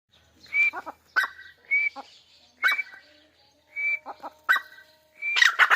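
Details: Grey francolin (Dakhni Teetar) in its natural habitat in Pakistan, giving short, sharp whistled notes, each slightly rising and paired with clicky broadband bursts. The calls are repeated roughly every second with brief silent gaps between.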